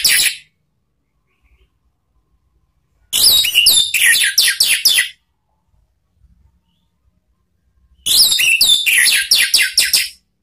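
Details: Orange-headed thrush song used as a lure for training caged birds, ngeplong and ngeriwik style: two separate two-second phrases of fast, high, varied whistles and clicks, divided by long silences.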